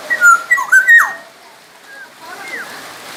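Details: Black-naped oriole from Sumbawa, a lively tutor bird for other songbirds: a loud run of rich, liquid, slurred whistles in the first second, then softer fluty notes, with background hiss.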